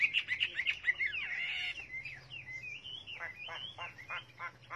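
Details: Chinese hwamei singing rapid trilled notes, then a run of looping whistles and short repeated down-slurs, over a low background hum.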